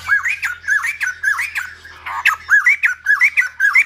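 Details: Silver-headed babbler in song, likely a caged bird: rapid repeated looping whistles about twice a second, each an arched, slightly harsh phrase, with a faint low hum beneath during the first half.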